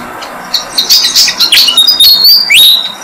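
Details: Malaysian pied fantail family on a jam tree, adults feeding six-day-old young; a burst of shrill, overlapping chirps, then a sustained high whistle and a final sharp upslurred note.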